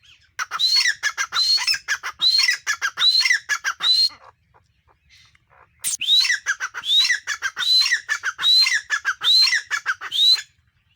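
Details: Female grey francolin, or teetar, giving a series of sharp rising whistles mixed with dense stuttering harsh notes, in two bursts of several phrases separated by a short silence.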